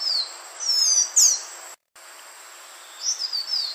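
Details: Green iora (Aegithina viridissima), a lure call for trapping, gives high, thin whistled notes in quick slurred phrases, rising and falling, with a short break between bursts over a steady faint hiss.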